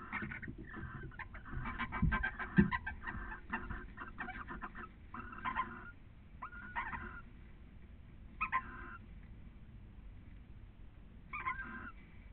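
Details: Breeding barn owl pair at a nest webcam in Cabañeros National Park, Spain, calling during copulation: a dense burst of harsh chittering, then short grating calls roughly every two seconds, over constant low rumbling background noise.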